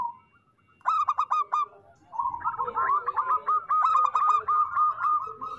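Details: Local zebra doves singing: after a soft opening coo, rapid staccato cooing notes run in quick bursts, then a long overlapping rolling series near the same mid pitch, suggesting more than one bird.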